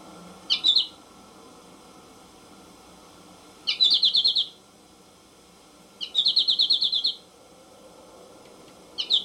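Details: American goldfinch singing: short bright twittering phrases of rapid high buzzy notes, four bursts spaced about three seconds apart, the longer ones about a second of quick repeated trills, over faint steady background hiss.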